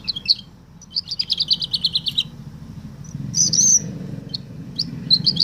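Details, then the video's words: A Belgian canary sings bright, high phrases imitating a woodlark's song, including a fast run of repeated notes that slowly descends, over a low hum; Belgian canary. "Καναρίνι λέει Τουρλί - Canary sings Woodlark"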